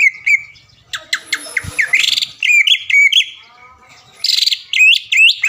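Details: Greater green leafbird, caged and a frequent champion in Palembang-area contests, Indonesia, mixes squeaky twisting whistles with harsh chips and short buzzy bursts, in several separate phrases divided by brief pauses, on a quiet background.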